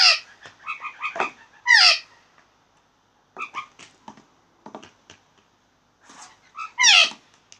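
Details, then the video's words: Blue jays uttering a string of short nasal harmonic notes and loud down-slurred squawks, interspersed with clicks, repeating in two main bouts. "Blue Jays making funny sounds"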